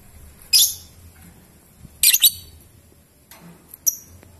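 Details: Lovebird in ngetik and ngekek style: harsh high chirps, one single and one rapid double burst, then two fainter short ticks, over low background hum.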